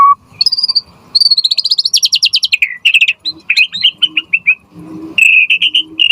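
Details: White-rumped shama (murai batu) in energetic full-content song, used as a lure to make other shamas answer and as tutor material: a high whistle, a fast rapid trill of repeated notes, then varied whistled phrases. A low background hum is present.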